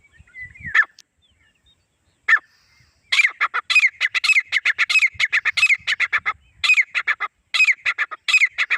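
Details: Male and female grey francolin pair: two isolated notes, then a loud, clear run of sharp, rasping, repeated notes delivered in quick bursts, with brief pauses between groups, against a quiet background.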